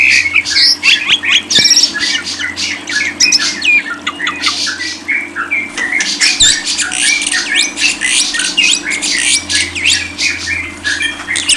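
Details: A long, busy stream of lovebird chatter: shrill twittering, sharp squawks and scratchy notes running almost without pause, with a steady background hum.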